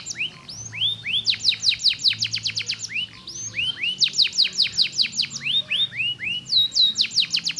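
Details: Canary song played to lure lazy canaries into singing: fast series of bright upswept whistled notes, each rising sharply, alternating with slower looping phrases, delivered in dense bursts with barely any pause, faint low hum beneath.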